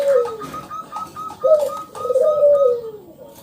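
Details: Local zebra dove song used to prompt other doves to sing: a short falling coo, then a longer wavering drawn-out coo, over a faint steady higher ticking trill.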